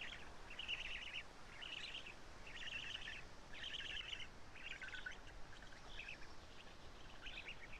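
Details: Storklets of the black stork at a Karula nest, 3 June 2017 at 11:35, while the male feeds them; about eight rasping, buzzy bursts roughly one per second, fading toward the end.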